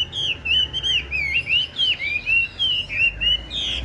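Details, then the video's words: Tame caged Chinese hwamei with yellow legs and yellow bill, praised for a loud, fine voice, sings a run of bright whistled phrases, each sliding up and down, repeated roughly every third of a second with short gaps. "Chim thuần bộ to giọng hay, chân vàng mỏ vàng"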